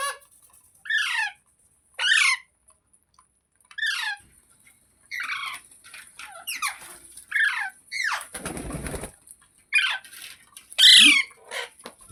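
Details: Green pet parrot screeching repeatedly: sharp downward-sweeping shrieks roughly every second, interrupted by a brief burst of broadband noise, with a faint constant high hiss in the background.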